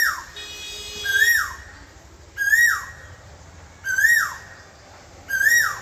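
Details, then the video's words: An Asian koel gives a loud whistled note that swoops up and then falls, repeated four times about every second and a half, with a faint steady hum early on. "কোকিলের মধুর কণ্ঠস্বর"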